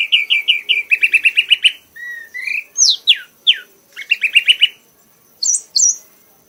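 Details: Red-whiskered bulbul, an accomplished bird, singing energetically in a 'mabok' trance until exhausted. Runs of rapid repeated chirps lead into sweeping slurred notes, more chirp series and high whistled flourishes at the end.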